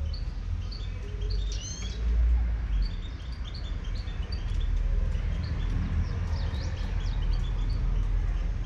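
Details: Wild Moroccan goldfinch singing outdoors: quick high twittering and chirped notes with a few harmonic-stacked phrases around the second and sixth seconds, over constant low rumbling background noise.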